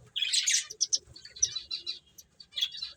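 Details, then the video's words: A quick flurry of high finch chirps opens, followed by single sharp tweets and short twitters from the playing birds. "Cute Birds Chirping Sounds | Beautiful Finches Playing"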